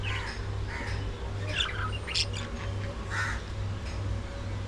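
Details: Several budgerigars during early morning feeding, giving scattered harsh squawks and brief raspy chirps separated by short pauses, over a constant low droning hum.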